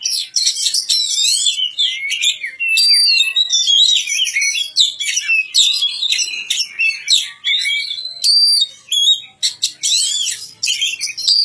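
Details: Magpie-robin (kacer) song from a bird kept and cared for in a village: a long, varied run of loud whistled phrases, rich in sweeping, rising and falling notes mixed with harsher chattering bursts, almost continuous.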